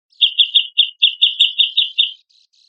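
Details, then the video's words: Grey-cheeked bulbul in lively song, used as a master recording to stimulate other birds to sing: a fast run of about ten short, bright chattering notes at an even pace, then a few faint softer notes, with a clean, quiet background. "CUCAK JENGGOT GACOR MASTERAN AMPUH RANGSANG BUNYI BURUNG BAHANAN"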